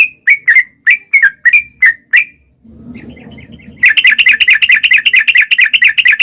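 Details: Yellow-vented bulbul's long 'ropel' song, played as a lure for wild birds: spaced, loud, slurred whistles, a brief lull with faint low rumble, then a fast, continuous bubbling chatter of rapidly repeated notes.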